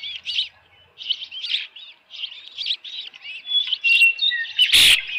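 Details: Osprey calling at the Dunrovin Ranch nest on a June 2018 evening, holding a headless fish: spaced, piping chirps building into longer whistled notes, ending with a loud knock or thump near the close.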